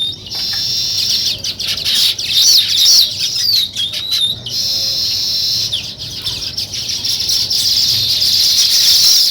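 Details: Several weaver birds busy building a nest give bursts of shrill, buzzy chattering and looping squeaky notes, separated by a few short gaps, the chorus building steadily toward the end.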